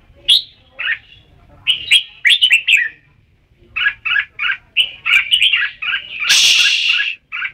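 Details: Red-whiskered bulbul in lively song: a long string of short, bubbly, whistled notes repeated in quick groups, ending with one harsh, noisy burst.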